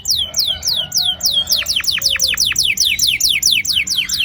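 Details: Canary in a long rolling song used to get young canaries singing; swooping whistles at a steady pace quicken into a rapid trill of sharp, falling high notes.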